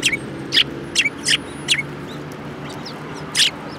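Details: Sparrows gathering at food at a Tenmangu shrine on 22 January 2018; short bright chirps at irregular intervals, about five clear notes with gaps, over a low steady background hum.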